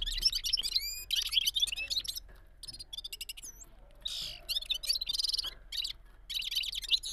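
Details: Bulbul (gulsar, balkashal) in a rolling song, with bursts of quick, high twittering and slurred whistles broken by short gaps, one bright upward-curling note, and a faint low hum.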